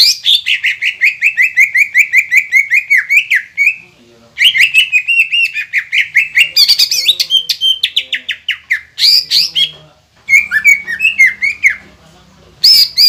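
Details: Long, energetic green leafbird song used to rouse reluctant leafbirds: trains of rapid repeated whistled notes gently falling in pitch, broken by brief pauses, with buzzy high flourishes and mimic-like phrases.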